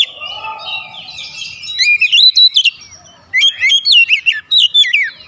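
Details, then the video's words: Oriental magpie-robin song meant to excite other birds: a soft warbled opening, then loud, clear whistled phrases of rising and falling slurred notes given in quick rhythmic bursts. "PANCINGAN KACER NAIK EMOSI"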